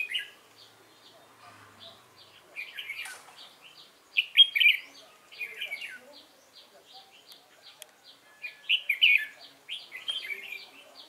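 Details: Red-whiskered bulbul, a new wild-caught bird kept in a cage, singing competition fighting song on 22 October 2018: three bursts of loud chattering warbles separated by quieter gaps, faint regular high ticks behind, and a brief knock.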